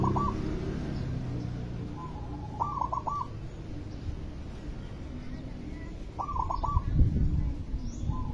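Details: Singing zebra dove used as a lure: a soft lead-in note, then a quick trill of clipped, even coos, repeated every few seconds above constant low-pitched rumbling noise.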